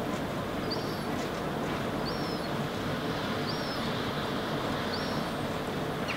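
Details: Herring gull fledgling standing on the ground in Helsinki, Finland, in August 2016, gesturing and walking about. It gives thin, high whistled notes, each briefly flat then dropping, four in a row about every 1.3 seconds, over a steady loud low rumble.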